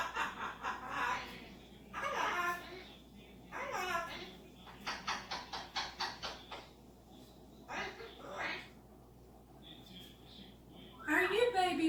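A cockatoo chatters in speech-like phrases and giggly, laugh-like bursts, with a quick string of short squawky notes midway, in a quiet room.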